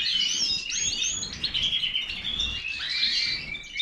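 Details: European goldfinch of the major form singing a dense, rapid twittering song of bright, high, liquid notes and short buzzy trills that run almost continuously through the few seconds, with a faint low background hum.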